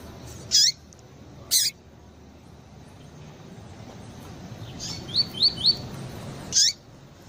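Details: Female Double-collared seedeater calling to excite a male: two sharp, high, falling chirps a second apart, then three short rising whistles in quick succession and another sharp chirp, with steady low background hiss.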